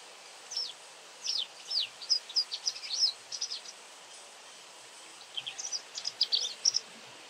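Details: Frequent calling from a White wagtail: two bursts of quick, sharp, high chirps, each a rapid string of slurred notes, separated by a short pause over light background noise.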